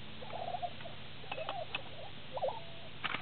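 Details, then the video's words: Lesser prairie-chickens displaying on a lek near Woodward, Oklahoma, recorded from a blind on 18 April 2009, give short, hollow gobbling and cackling notes in scattered bursts, with one rising-and-falling yelp, over steady low wind rumble. "Lesser Prairie Chickens display"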